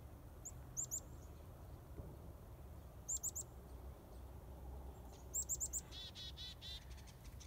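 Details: Wild finch giving bursts of thin, very high chirps, two to four quick notes per burst, repeated every two to three seconds, followed by a rougher buzzy rattle, over faint outdoor background noise.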